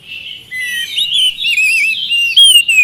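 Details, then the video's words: Oriental magpie-robin song used to stir reluctant birds into singing: clear, sweet whistles that slide up and down, mixed with quick higher twitters and one long falling whistle near the end. "pancingan kacer malas bunyi mudah ikut nyaut gacor"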